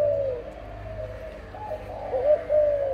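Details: Spotted dove, a parent breeding bird, gives soft low coos, a faint one at the start and two clearer hollow notes near the end, over a steady low hum.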